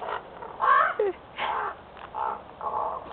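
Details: Several crows calling in rough, hoarse, croaking phrases described as parrot-like, a sequence of short grating bursts of varying pitch with brief pauses, over low background hum.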